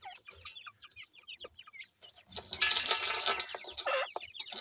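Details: Playful grey francolin chicks give rapid bright chirps in quick runs for about two seconds, then a loud hissing rustle masks most of the peeping.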